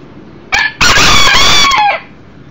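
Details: Loud crowing from a young Millefleur d'Uccle roo, one year old, visiting inside a house where a second hen and a brooder box of chicks are kept. A clipped first syllable, then a long, raspy, drawn-out note that falls slightly at its end.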